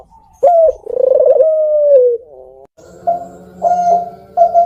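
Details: Captive Barbary dove (puter) of the pelung type, a bird-farm bird whose voice is described as "kuk geruk kwaakk". A short note is followed by a long, low, rolling, slightly wavering coo, then a quieter humming coo with several brief swells.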